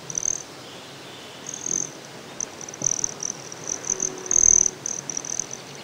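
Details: Broad-tailed Hummingbird at Great Sand Dunes, Colorado: a very high, thin, metallic buzzing trill in short, almost continuous bursts, over faint low rustles and thumps.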